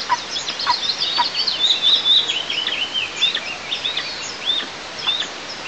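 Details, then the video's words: Eagle chicks at a monitored nest in southeast Tatarstan, 6 July 2024, unhappy that their mother eats alone: overlapping high warbling squeals and quick rising chirps, fast and irregular, forming a busy chatter. "Дети не согласны, что мама ест одна"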